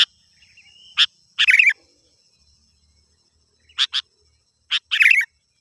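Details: Sooty-headed bulbul in full voice for attracting wild birds: single and paired crisp chips alternate with harsh, buzzy chattering phrases, over a faint steady high whine.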